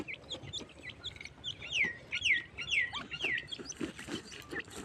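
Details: Teetar, a partridge, gives a run of four or five loud downward-slurred whistles, roughly two per second, each sliding from high to lower pitch, with softer chirps and faint low noise around them.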